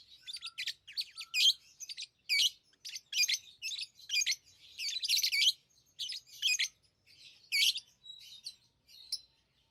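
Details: Captive lovebirds chattering with rapid, scratchy high chirps, packed into irregular bursts about once a second, a few thin whistled notes in between.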